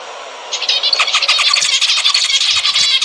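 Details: Zebra finches singing, with song offered as a way to prompt mating: after a half-second of faint hiss, a continuous run of quick, nasal, buzzing and squeaky notes, tightly packed and overlapping, fills the rest.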